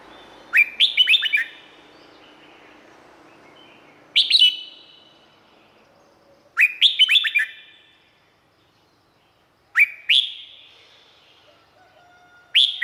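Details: Red-whiskered bulbul in Thailand singing five short bouts of rapid, rising and falling whistles, some long phrases and some single bright notes, spaced irregularly a few seconds apart.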